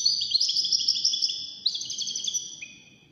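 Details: Wild-caught European goldfinch competing in a five-bird song contest produces continuous rapid twittering of high, bright notes, ending on a lower drawn-out note as the phrase fades.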